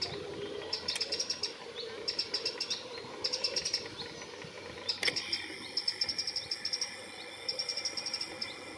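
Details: A Eurasian wren (Troglodytes troglodytes) singing on a branch in Pittencrieff Park, Dunfermline, Scotland, gives rapid, high, sharp trills and ticking notes in quick bursts, with a sharp click midway and faint background hiss.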